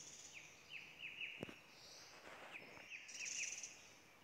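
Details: Hill blue flycatcher at Doi Inthanon, Chiang Mai, Thailand, giving short downslurred notes in quick pairs and triplets, about eight across four seconds, with a sharp knock midway and a high buzzing insect drone rising near the end.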